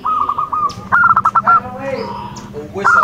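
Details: Local zebra dove of the Majapahit line singing a short run of quick, bubbling coos, with a fainter second dove and a low background hum.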